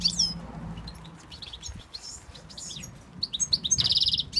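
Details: A male European goldfinch from Tunisia, urged to call his female, sings a quick, high, tinkling twitter of varied notes ending in a dry buzzy trill; faint low hum early on.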